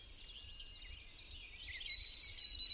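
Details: White-throated sparrow (Zonotrichia albicollis) sings pure steady whistles, two long high notes then a lower held note and quick short ones; a viewer notes a faint barred owl hooting in the background.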